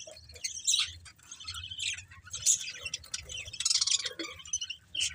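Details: Budgerigars chirping: a jumble of scratchy warbles, squeaks and short chattering notes, several birds calling at once, with soft low background rumble.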